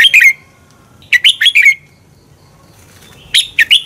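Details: Red-whiskered bulbul singing, a recording meant to train birds and provoke competition singing: three short bursts of rapid, bright, slurred whistled notes separated by pauses of about a second.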